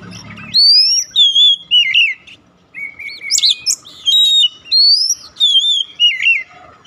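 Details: Song of an Oriental magpie-robin, played to prompt a silent bird to sing: rich whistled phrases rising and falling, mixed with sharp high squeaks and chips, delivered in quick successive bursts after a brief low rumble.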